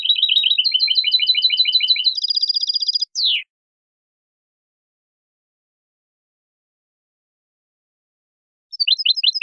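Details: European goldfinch singing the Spanish style, from a recording made to teach young birds: a rapid, chattering trill rises into a higher, tighter trill and ends on a descending slur, then silence until a fresh trill begins.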